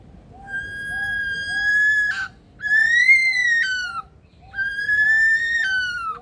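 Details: Superb Lyrebird, a male in an aviary at Adelaide Zoo, South Australia, mimicking: three long loud siren-like whistles, level, rising then dropping, with rich overtones, separated by short pauses, faint soft beeps beneath.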